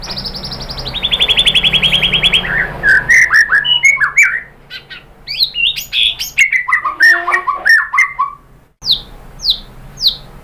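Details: Lure song of a white-rumped shama meant to draw replies from other birds: a fast high buzzy trill at the start, then a varied run of sweeping whistles and chattering notes, ending in three sharp downslurred chips.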